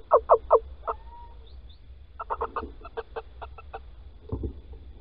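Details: Male Little owl calling at Holten on 16 March 2020 at 10:25 while the female digs a nest scrape. Three loud, sharp barking notes, then a faint whistle, then a spaced series of softer clucks and a low scrape.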